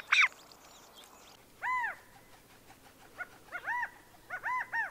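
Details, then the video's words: California quail gives repeated three-part calls of two short notes and a longer, arched, slightly nasal note, after a sharp opening chip. "California Quail Call/Song/Sound"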